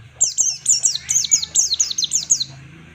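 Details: Ngalas-style white-eye (pleci) song as a training master: a steady string of about a dozen high, bright downslurred notes, each around a fifth of a second apart, with a low hum beneath.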